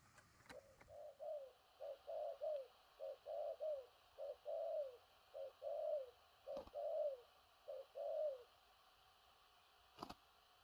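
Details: Large-bodied spotted dove cooing in the thổ rặc style, with stuttering 'gù cà lăm' notes: low hollow phrases of short clipped notes, each ending in a longer falling coo, repeated steadily about ten times. Quiet background with a few clicks.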